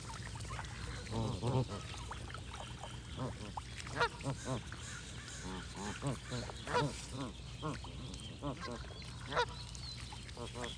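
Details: A flock of geese calls almost without pause, bursts of nasal, arched honks tumbling over one another, while small birds chirp faintly above and a low hum runs throughout.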